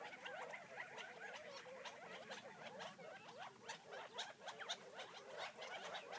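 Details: Gambel's quail, wild birds on a property outside Florence, Arizona, feeding while keeping up an irregular soft chuckling chatter of short notes from several callers.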